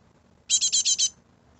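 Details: Great tit fledglings in a garden: a single loud burst of five quick, harsh, high buzzy notes, evenly spaced, then quiet.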